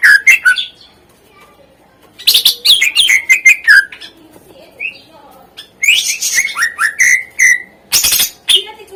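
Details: Greater green leafbird song for prompting lazy birds: clusters of quick whistled and chirping notes separated by short pauses, rising and falling, with one rapid bright series near the end.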